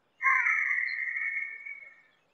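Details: Harris's hawk call: one drawn-out, rather tonal screech held at a fairly even pitch for about two seconds, rough at the onset and tapering off gradually at the end, in quiet surroundings.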